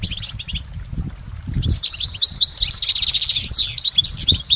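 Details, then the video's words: Goldfinch recorded in nature singing a long, unbroken song: after a quieter first second and a half, a dense, rapid stream of high, twittering and buzzy notes runs continuously, with faint low rumbling underneath. "Exceptional recordings of the goldfinch in nature"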